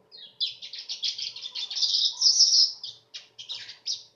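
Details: Sharp, canary-like weaver song: continuous rapid buzzy chattering that swells to a loud sizzling peak midway, then breaks into separate harsh chirps.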